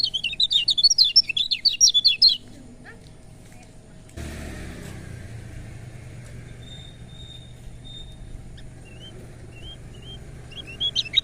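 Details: Lemon-bellied white-eye (kecial kuning) song, used to spur reluctant birds into singing: a rapid, jumbled warble of high, wavering notes for two seconds, then a long stretch of engine-like rumble with a few faint whistled notes and a brief warble at the end.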